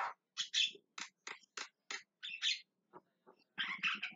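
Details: Calling Javan myna (jalak kebo) gives a rapid series of harsh, grating squawks and clipped rasping notes, roughly evenly spaced, ending in a longer burst of noisy chatter.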